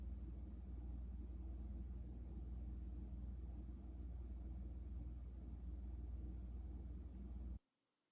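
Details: Green-backed twinspots newly arrived in quarantine singing: faint, very high ticking notes, then two loud, thin, descending slurred whistles about two seconds apart, over a constant low hum.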